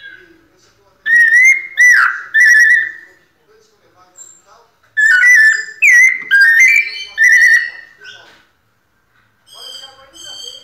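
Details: White-necked thrush singing in the pianado style: two bursts of clear, piano-like whistled phrases near the same pitch, each made of three or four sliding notes with quiet gaps between, and soft faint notes in the pauses.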